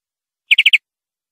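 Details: Four quick, rough chirps in a tight burst, from a European greenfinch tutor recording for training captive birds; nothing else is heard.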